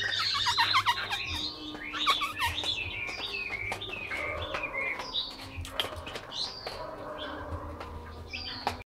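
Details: Caged Chinese hwamei from Vietnam delivering a rambling, varied warble of slurred whistles and chirps, busiest at the start, then easing into spaced phrases over a low background hum.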